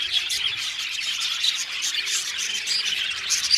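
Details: A colony of budgies warbles and chirps nonstop, a thick layer of quick, high, scratchy notes with brief louder squeaks.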